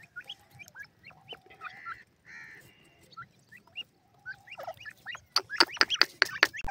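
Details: Grey francolin chicks feeding in green grass: many small high rising cheeps overlap with a few brief buzzy notes, ending in a loud rapid run of sharp clicks.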